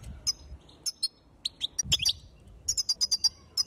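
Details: Sharp high-pitched chirps from a female European goldfinch, a call said to rouse males; notes come singly, then in a quick run of five or six near the end.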